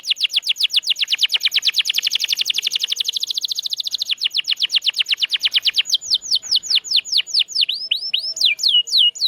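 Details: Canary song used as training material to prompt silent or mute canaries to start singing again: a long fast trill of repeated high notes, then slower downward-sweeping whistled notes with some rising slurs near the end.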